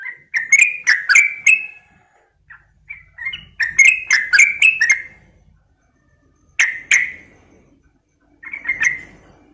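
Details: Sooty-headed bulbul female calling to a male, giving bursts of quick chirping notes, then pauses, then short isolated chirps and a final brief cluster.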